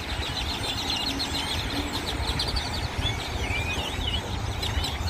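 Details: Large flock of grackles gathering on poles, trees and the ground of a parking lot in Cypress, Texas, giving dense overlapping chirps, clucks and rising whistles over a steady low rumble of traffic.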